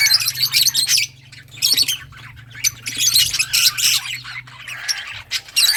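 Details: Several lovebirds of various colours chatter with rapid, shrill, scratchy squawks in bursts about a second long, pausing briefly between them, over a low steady hum.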